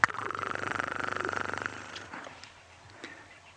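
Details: A crested barbet gives its alarm call, a fast, even, buzzy trill of rapid pulses at mid pitch lasting under two seconds, on a misty morning game drive at Ngala Private Game Reserve, South Africa, 18 April 2020.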